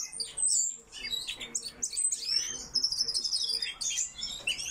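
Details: Aviary coal tits give sharp, very high chips and short thin whistles in bursts, a little quieter, with a faint low hum behind.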